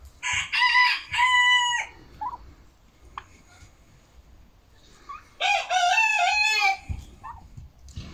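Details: Chicken crowing on Monday, 10 October 2022, when the flock laid eight eggs; two loud, harmonically rich crows, each about one and a half seconds long and rising then falling, separated by a quiet gap with soft clucks.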